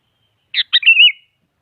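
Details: Sooty-headed bulbul song, played as a challenge to a rival so a quiet bird starts singing. It opens with a rough chirp and a second note, then slides into a wavering, fluid whistle. No other sounds are heard.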